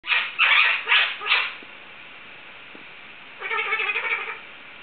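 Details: Pet Indian ringneck parakeet imitating dog barking indoors: four loud harsh bark-like bursts in quick succession, a pause, then a longer raspy harmonic call near the end.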